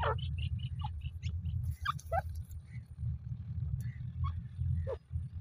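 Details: Female grey francolin calling: a quick run of short, high repeated notes, followed by scattered sliding whistles and chirps, with a constant low rumble underneath.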